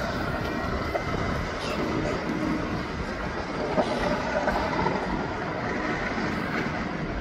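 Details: Loud roar of a passing aircraft and traffic in an urban setting, with no distinct animal call standing out.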